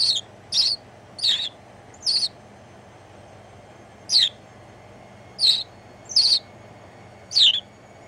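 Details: House sparrow on a shoulder in the Netherlands, New Year's Day 2016, giving sharp repeated chirps: four in quick succession, a two-second pause, then four more, over a quiet electrical hum.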